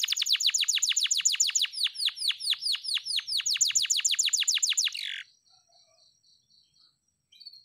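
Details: A canary recorded in the morning as a lure for lazy-singing canaries sings a fast, bright run of rapid sweeping notes, repeated many times per second, ending in a buzzy trill, then quiet soft chips.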